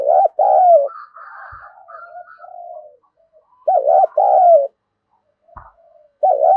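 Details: Calling spotted dove, 'cu gáy thúc' style, luring wild doves closer. A two-part coo opens, then softer murmured coos, then another full phrase: a throbbing short note and a long descending one. A third phrase begins at the end.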